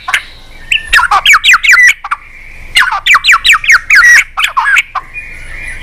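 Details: White-rumped shama performing its varied, unusual-voiced song, prompted to sing with tail-flicking; rapid series of harsh falling notes, about eight in quick succession, repeated twice with a short break and a drawn-out whistle between.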